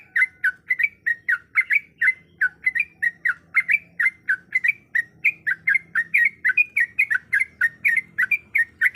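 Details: Long, steady stream of chattering, bubbly notes from a female yellow-vented bulbul in breeding condition calling to a male, roughly four per second, on a quiet background.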